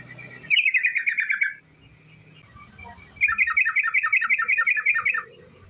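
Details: Rolling lure song of a sooty-headed bulbul, meant to make other bulbuls sing: two bursts of rapid bright chirps, roughly eight notes a second, separated by a pause of over a second with faint low background hum.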